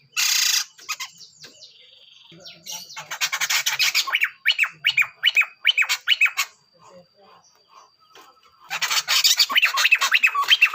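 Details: Male and female Sunda laughingthrush calling together: a harsh noisy burst, then a quick run of rising, ringing notes, a lull, and a final stretch of loud chattering with rising phrases.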